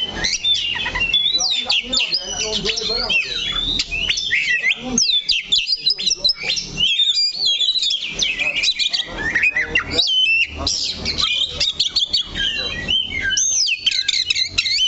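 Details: Perched steadily on one spot of its stand, an Oriental magpie-robin sings a long, unbroken stream of varied whistles, rapid chirps and buzzy twitters, with brief gaps. Faint talking is heard in the background.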